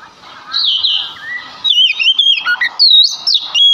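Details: Male Oriental magpie-robin singing as a lure to set other magpie-robins singing. A soft scratchy warble opens, then loud bright whistles follow, each sliding and rising in quick separate notes.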